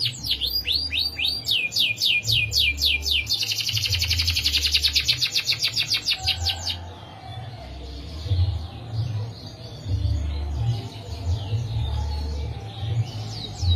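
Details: Caged canary singing a long rolling song: rapid sweeping notes at first, then a fast buzzy trill of repeated notes lasting several seconds, fading to faint notes over a low background rumble.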